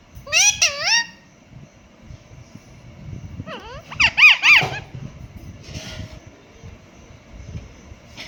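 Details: Pet Indian ringneck parakeet imitating a cat: two bursts of rising, wavering meow-like squeals, one at the start and another mid-way, over a low rumbling background.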